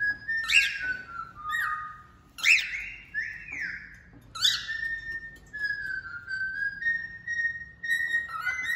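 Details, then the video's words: Male cockatiel singing a lot: bright whistled phrases near the upper-middle range, with sharp rising-falling notes and longer level and gliding tones, bursts every one to two seconds, a soft low hum underneath. "Calopsita Macho Cantando Muito"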